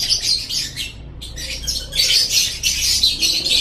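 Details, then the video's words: Lovebird masteran song from Indonesia, fast buzzy chattering with rapid squeaky notes, a momentary pause near one second, then louder, denser twittering. "Masteran Suara Burung Love Bird"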